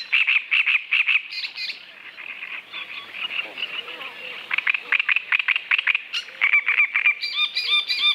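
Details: Great Reed Warbler (Acrocephalus arundinaceus) delivering loud, rasping, frog-like song: rapid harsh repeated notes in bursts, a brief quieter creaky passage, then more grating repetitions with a few higher whistled squeaks near the end.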